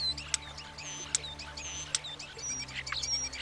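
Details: Mating-season song of a European Starling, used to impress partners: thin high whistles and sharp clicks scattered through a busy chatter, over a quiet continuous low drone.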